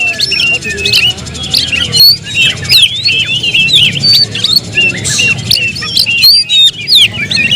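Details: Oriental magpie-robin kept at home singing a busy stream of short swooping whistles and chips, about two or three notes a second, with a louder sharp burst near the middle and a low hum beneath.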